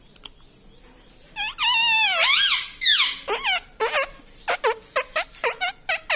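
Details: Indoor pet parrot imitating words like "mitthu" and "mummy": long squeaky wavering phrases lasting over a second, followed by a rapid series of short clipped squeaks roughly twice per second.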